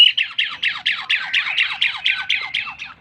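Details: Asian pied starling singing energetically: a fast series of loud, sharp, downslurred whistled notes repeated about four times a second, bright and clear, with no other sounds.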